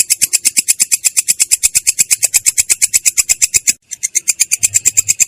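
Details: Rolling song of a long-tailed shrike, clear but coarse in tone: quick regular rasping notes about three per second, one short gap near the end, then the same rough series resumes.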